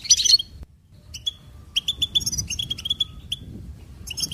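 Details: Goldfinch opens with a jumbled twittering burst, pauses, then strings together bright, evenly spaced chirps and short whistles before trailing off.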